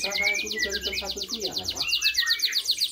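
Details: Local canary singing vigorously, a continuous run of rapid high swept notes and trills, with lower murmuring sounds underneath at first.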